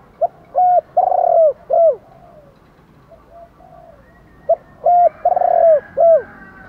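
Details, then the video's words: Morning calling of spotted doves, male and female, used to draw in wild doves. Two low cooing phrases about four seconds apart, each a short note followed by three longer hollow coos, the last sliding downward, with faint distant coos between. "gay goi chim cu gay cu dat cu moi gáy gọi bổi buổi sáng, bổi nghe gáy liền"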